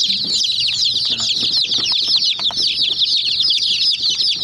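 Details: Domestic chicks pecking at a small white jeep toy keep up constant high-pitched peeping, many short falling chirps overlapping, with low hum and pecking clicks underneath.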